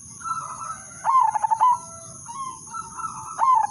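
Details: Zebra dove lure song used to get other doves singing: a quick run of stuttering, pulsed coos ending in a lower drawn note, followed by another burst near the end, over soft background cooing and a steady high-pitched hum.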